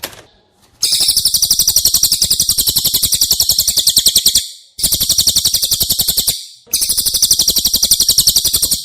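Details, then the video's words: Song of a cililin, used to train caged White-rumped Shamas: three long bursts of a fast, shrill, rattling trill with crisp, regular notes, each burst separated by a short pause. "Masteran CILILIN Materi Wajib untuk Burung Murai Batu anda!!"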